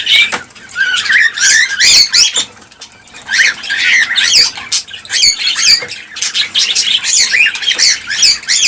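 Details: Chorus of cockatiels for encouraging pairing and breeding, made of harsh squawks and screechy rising calls that crowd together, with a brief lull near the middle before the loud calling resumes.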